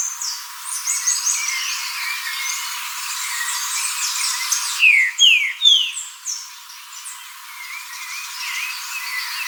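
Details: Green-winged saltator song: high chirps and twittering for several seconds, then three loud, clear, descending whistled slurs in quick succession, followed by softer scattered chirps.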